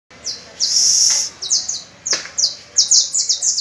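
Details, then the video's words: Canary singing on the first of May while young pupil birds practise with it: high bright whistled trills, a long sustained rolling trill, then quick clipped repeated notes in short bursts. "Los discípulos practicando con mi Canario"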